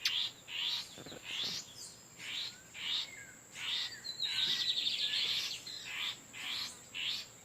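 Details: Lined seedeater males exchanging song in the wild, Torniado song style, with an incubating female nearby: regularly spaced high chirps about every half second, broken by one fast, thin trill in the middle.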